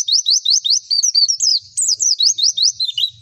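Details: White-eye song from a pleci lure recording meant to stimulate singing and breeding drive: rapid bright chirps, each sweeping sharply upward, delivered in an even, quick series with short gaps, then a few falling, twisting notes.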